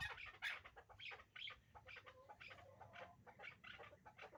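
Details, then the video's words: A hybrid chukar partridge pair gives quick, scratchy chuck notes in uneven clusters, fading a little toward the end, over a soft low background rumble. "Кабки Гибрид"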